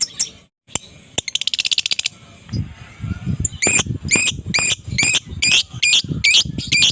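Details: An adult fighter lovebird's morning calls for provoking quiet lovebirds: a fast buzzy rattle of rapid clicks, then a regular series of loud, harsh, high chirps roughly twice per second over low rumbling.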